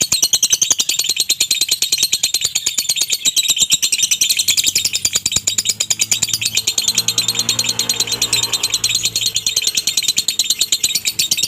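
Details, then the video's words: Lovebird singing in the konslet minor style with a dry tone, played to provoke other lovebirds into doubled song: rapid, unbroken stream of high, sharp chirps, about three per second, continuing through the whole stretch with slight variation in pace. "SIMULASI SUARA LOVEBIRD KONSLET MINOR NADA KERING ,COCOK UNTUK MEMANCING DOBELAN LOVEBIRD ANDA"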